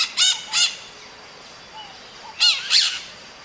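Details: Maritaca calling in nature: two short, harsh, nasal squawks, a pause with a faint thin note, then two more raspy squawks.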